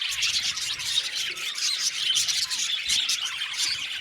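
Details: Many budgerigars, 70 pairs kept together in an aviary, chattering at once; a busy, shrill blend of overlapping chirps and short squeaky notes with no pause, over faint low knocking.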